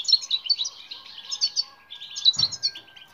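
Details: European goldfinch training song for silent birds: crisp bursts of tinkling high notes, a brief lull, then more twittering punctuated by a dull thump.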